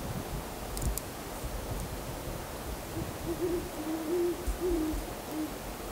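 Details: Owls heard around 7:15 pm on a cold December 23 night, taken with a handheld camcorder and ATR55 shotgun mic: a faint run of soft, low, wavering hoots in the second half, partly buried in steady hiss and low rumble.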